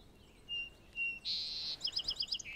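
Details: A territorial song sparrow in forest at Birch Bay State Park, north Puget Sound, sings close by after birders' pishing: two clear whistled notes, a bright buzzy note, a quick sharp trill, ending lower.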